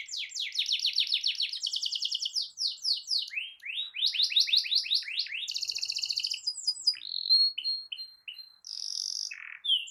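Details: Canary song used to provoke other canaries into singing, a long rolling performance: rapid buzzy trills at varied pitches, fast repeated notes shifting into sweeping whistles and a high rattling roll, with short pauses between phrases.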